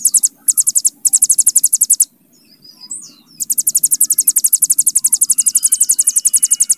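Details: Ciblek gunung, or hill prinia, delivering a long bren for tutoring cagebirds: rapid shrill pulsed trill in short bursts, a pause with soft squeaky chirps, then a long steady rattle.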